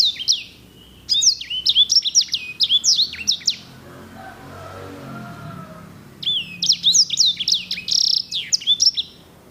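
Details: Edel/Herda sanger canary, a singer breed prized for its elegant rolls. Long passages of fast, high, swooping and chirping notes, broken by a pause of roughly two seconds with faint low background hum.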